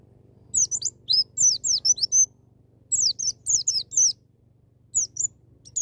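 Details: Wild-style white-eye song to get a young bird singing: lively runs of high, sharply falling chirping whistles in two dense bursts, then a few sparse notes, with a faint low hum.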